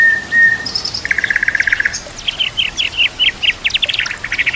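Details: White-rumped shama (murai batu) song, used for training other shamas: a long flat whistle, a high note, a buzzy repeated trill, then rapid rhythmic chopped notes ending in quick repeated phrases over steady background hiss.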